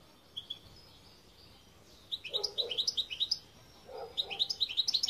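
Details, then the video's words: A goldfinch gives quick series of bright, high chirped notes, the phrases speeding into tinkling runs in the second half after a near-silent start. "Chant Chardonneret"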